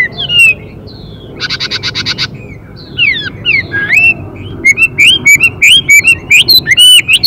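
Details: Chinese hwamei male singing with female calls: scattered whistled slurs, a brief buzzy rattle, then a quick series of rising whistled notes with sharp clicks.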